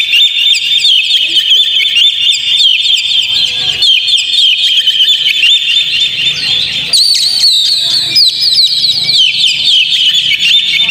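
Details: Continuous Oriental magpie-robin song intended to stimulate a caged bird to sing: sustained bright whistled warbling with quick chips about four per second, shifting abruptly midway into a busier burst of sharp rising and falling notes.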